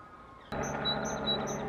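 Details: One Great tit at Madrid-Río, Madrid, Spain, on 21 April 2018 gives thin, high notes that alternate between a higher and a slightly lower pitch, about five in just over a second, over a steady broadband hiss.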